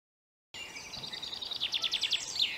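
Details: A common chaffinch singing from a flowery perch: a bright, high phrase of quick descending notes that speeds up and ends in a brief downward flourish, over faint background noise.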